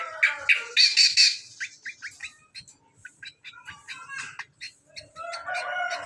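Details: Greater green leafbird, hand-reared, starting with loud, harsh squawky notes, then a string of quick, even chips, closing with a rasping, scratchy passage.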